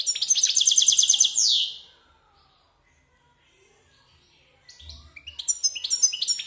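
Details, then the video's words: Caged one-year-old male European goldfinch, father of three hybrid mules, singing in the wild-song style: a burst of high, fast, buzzy twittering trills for under two seconds, a pause of near silence, then rapid chirping notes resume. "jilguero cantando canto silvestre"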